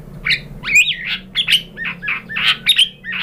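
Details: White-rumped shama (murai batu) lure song meant to provoke other shamas into answering: quick run of chirpy, bending notes and short upslurred whistles, busy and uneven, with a faint low hum underneath.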